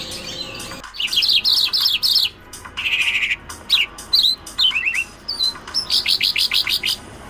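A bimaculated lark sings a fast, varied medley of high chirps, slurred notes and short buzzy trills that runs on with hardly a pause.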